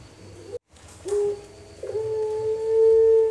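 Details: Four-month-old juvenile Pelung dove from Pakisaji, Malang, still practicing its full song with front, middle and end parts: a short low coo, a pause, then a long, steady, deep hum that swells in loudness toward the end.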